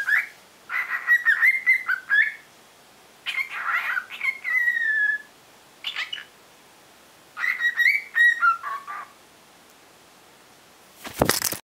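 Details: A pet cockatiel practising its song with wings spread whistles in three short bouts of warbling, rising and falling notes, with pauses; its voice gradually gaining more carry; a sharp knock or clatter at the end.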